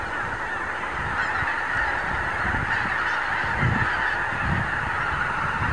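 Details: Morning assembly of thousands of wild geese on Lower Rhine farmland; thick, continuous honking chorus that swells slightly after the first second, with intermittent low wind rumble.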